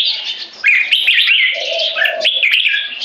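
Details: Caged competition Red-whiskered Bulbuls, 3.5 and 7 years old, singing butir to subjugate an opponent: quick chirpy whistled notes with upward sweeps, joined midway by a steady lower drawn-out tone.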